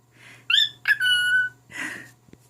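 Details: Pet male cockatiel singing to his mate indoors: a few bright whistled notes, one rising, then a long steady whistle, ending with a breathy hiss. A faint low hum runs underneath.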